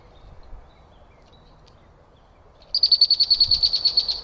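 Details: Backyard bird in Minnesota recorded by a trail camera, giving a high, dry rapid trill of evenly repeated notes lasting over a second, preceded by quiet outdoor background with faint distant chirps.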